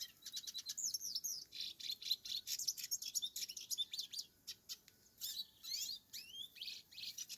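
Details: Hooded siskin living free on a rural farm, singing a lively high-pitched twitter of rapid chirps, rising and falling slurred whistles and short trills, delivered almost without a break.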